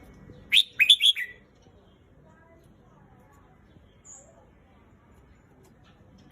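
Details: Red-whiskered bulbul singing one quick burst of four bright, chirpy warbled notes that sweep between mid and high pitch, followed by near silence with a faint low background hum.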